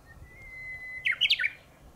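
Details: Japanese bush warbler singing from a high treetop one morning: a long, steady whistled note held for about a second, then a quick, loud flourish of four or five sharp, chirping syllables, with faint low background noise.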